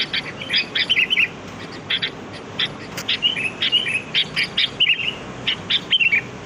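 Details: Sooty-headed bulbul (kutilang) in the wild, a lure sound for trapping birds: a busy run of many short bright, bubbling phrases and chirps, closely spaced and tumbling on for several seconds against faint hiss.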